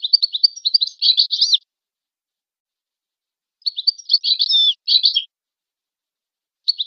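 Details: European goldfinch song for training: rapid high twittering runs of mixed chirps and buzzy slurs in two phrases, with a silent gap between them.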